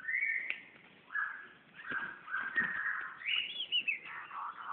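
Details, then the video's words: Magpie-robin in Brunei, 2013, singing at its own reflection in a mirror: loud clear whistled phrases, steady and slurred notes shifting between low and high pitches, with short pauses between them. "Burung murai vs cermin"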